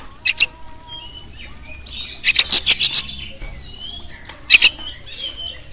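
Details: Oriental magpie-robin, a champion bird, singing a full tutor song meant to stir other songbirds: short harsh high chips, then a quick run of about six rasping notes and a later pair, over faint whistles and a steady background hiss.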